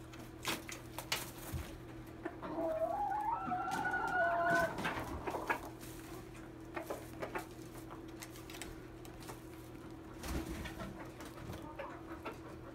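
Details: Red junglefowl set against a domestic chicken, birds calling back and forth: one drawn-out, wavering crow rising and falling over about two seconds, then scattered clicks and knocks under a steady low indoor hum.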